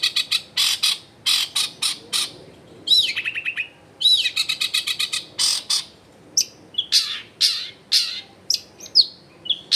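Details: Energetic long-tailed shrike singing, recorded at a home in a densely populated area: rhythmic sharp harsh notes in quick series, rising looped whistles, then varied chirps and short scratchy phrases.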